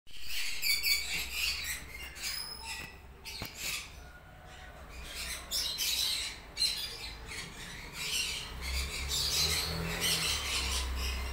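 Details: Blue parrotlet breeding pairs, three males and two females, in Bangalore chatter in quick, scratchy high chirps and squeaks, overlapping almost twice a second, over a low steady hum.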